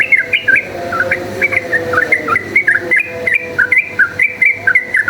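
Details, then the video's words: A yellow-vented bulbul sings in lively fighting style, used as a lure: a steady string of short liquid notes sliding up and down, roughly three per second, with low tonal humming behind. "cuk cuk uplik uplik ! trucukan gacor ropel tarung"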